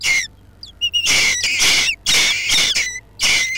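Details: Nesting Jackdaws under a roof give loud, harsh squawking calls, several long rasping bursts close together with brief gaps between them.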